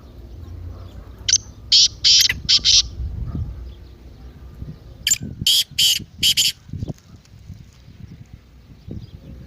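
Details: Partridge call meant to stir a silent partridge into calling: two tight clusters of harsh, scratchy bursts, three or four in each, separated by a pause, over low rumbling background noise and soft knocks.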